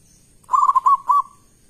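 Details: Local Zebra Dove singing loudly as a lure to make other doves call back: one rolling phrase of four quick bubbly coos, the last slightly longer and trailing off, in a quiet setting.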